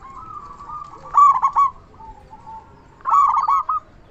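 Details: Zebra dove, local bird noted for a strong voice, used as a lure to stir other doves into answering; two loud stuttered coo phrases about two seconds apart, linked by faint trailing coos.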